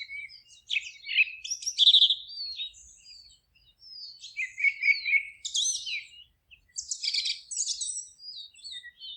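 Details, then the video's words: Several birds sing continuously in a forest, a busy mix of rapid chirps, trilled runs, buzzy bursts and high sweeping whistles that rise and fall in loudness, with brief gaps between phrases. "Forest relaxing sounds of singing birds"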